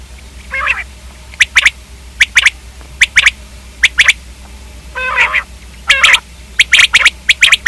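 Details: Common quail uttering paired and tripled sharp clicking notes at steady intervals, mixed with a couple of rougher, squawky notes, a low hum throughout.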